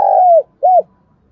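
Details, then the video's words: Spotted dove giving its cooing call, used for decoy training: two low, soft coos, a long, even note sliding down at the end, then a short arched one. Otherwise quiet. "Chim cu gáy thúc gù"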